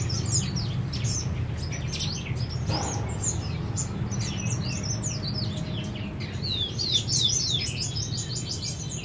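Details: Chestnut-flanked white-eye kept in captivity: a busy stream of thin, high, quickly repeated chirps and short twitters runs almost without pause, over a steady low background hum.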